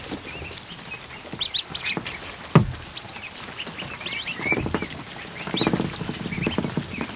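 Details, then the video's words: A flock of 100-plus newly hatched ducklings in a barn kiddie pool on an afternoon. Rising and falling peeps come in clusters, with loud splashing, a sharp knock and rustling between them. "An Afternoon With 100+ Ducklings In A Kiddie Pool"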